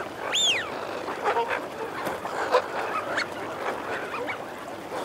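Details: Eurasian wigeon in a mixed male and female group: a loud rising and falling whistle opens, followed by scattered short calls and a steady low growling chatter.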